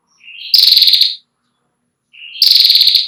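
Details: A female Ashy prinia repeats its long trill, kept for teaching young birds. Two phrases each open with a soft lower note and burst into a high, loud, fast-pulsed buzzy trill, separated by over a second of silence.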